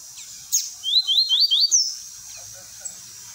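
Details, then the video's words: Lined seedeater song of the tui-tui type, used for training young birds: a brief phrase of about one second with a few rapid, high, upslurred whistled notes, then quiet background. "COLEIRO GOLAO TUI TUI PRA ENCARTE"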